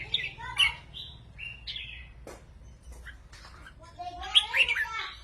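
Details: Caged red-whiskered bulbuls in Thailand singing rik-style song against each other in competition; short clear whistled phrases, some rising and some falling, in separated bursts with a low hum beneath.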